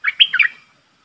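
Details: Streak-eared bulbul used as a decoy for a wild flock: a single brief, bubbly, slurred call of a few linked notes, lasting about half a second.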